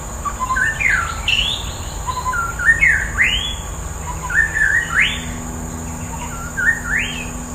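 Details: Wild white-rumped shama singing: rich, clear whistled phrases that sweep sharply upward, spaced a second or two apart, with softer lower notes between, over a steady high-pitched hiss and low background rumble.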